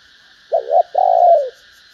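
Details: Cooing female spotted dove, calling to stimulate males: a short two-part coo followed by a long, steady, slightly pulsing coo that slides down at the end, over a faint high hiss.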